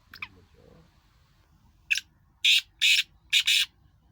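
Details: Two black francolins calling. A short sharp note, then three loud harsh grating notes in quick succession over faint background noise.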